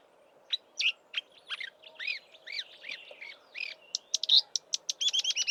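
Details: Marsh warbler in Eastern Cape bush, March, copying southern African birds before migrating north; spaced, down-slurred whistled notes give way to a rapid, evenly repeated series of sharp clicks near the end, recorded close by from the roadside.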